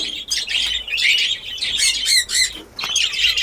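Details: Many caged budgerigars in a new breeding colony in Darbhanga, Bihar, as breeding begins, keep up a continuous high twittering of short chirps and squeaky warbles, rising and falling in loudness.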